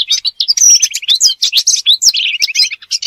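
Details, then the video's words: European robin delivering a dense, tinkling song with fast stuttered trills, sweeping high whistles and chattering notes packed closely together. "أجمل تغريد لطائر الدخل"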